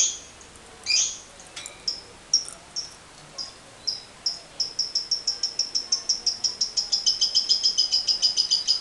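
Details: Lovebird giving a long chattering call (ngekek panjang), used to stimulate other lovebirds: spaced high, sharp notes that speed up into a steady, rapid rattling series of bright chips lasting several seconds, over a hissy background.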